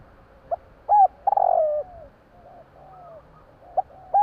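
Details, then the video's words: Javanese spotted dove calling at night: a short soft note, then a hooked coo, a purring rolled coo and a drawn-out falling coo; the phrase repeats after a quiet pause of about three seconds. "burung tekukur bunyi malam hari"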